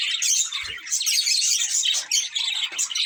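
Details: Budgerigars kept as pets in a loud, close burst of high, rapid chattering and warbling, dense and continuous, with a short low knock early on.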